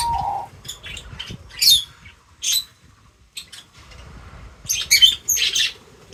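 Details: Feeding birds giving scattered sharp, high chirps and harsher squawky notes, quick clusters separated by short pauses, opening with a brief low whistle.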